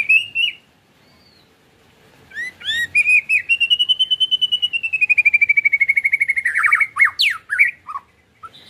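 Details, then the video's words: White-rumped shama ketrekan song used to draw other shamas into full song. Opens with a short whistle, then a long, fast, steady trill of pure whistled notes that slowly descends before ending in sharp, varied chirps. "PAncingAN MURAIbatu KETREKAN murai bikin mb mu bongkar isian"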